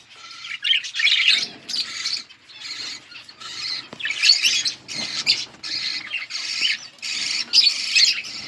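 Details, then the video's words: Colourful budgies calling in a series of harsh, squawky chirp bursts, each about half a second long, repeated with short gaps between them. "Budgies parrot beautiful colour budgies chirping sounds"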